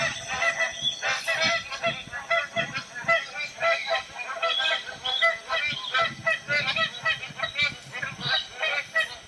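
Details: Magpie geese calling as a noisy flock: a thick, unbroken clamour of loud honks in rapid overlapping pulses, with a low rumbling background.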